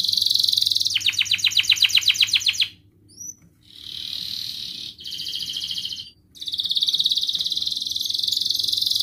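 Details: Lure song of a canary for lazy canaries, ngerek mbarong style with cuit cuit notes: a high buzzy roll, a rapid series of descending strokes, two short chirps after a pause, then sustained bright trills.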